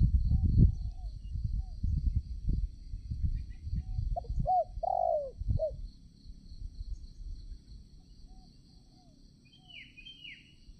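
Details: Spotted dove decoy at a trapping spot, cooing after loud rustling noise: two short notes, then a drawn-out falling coo, with quiet high twitters from another bird near the end.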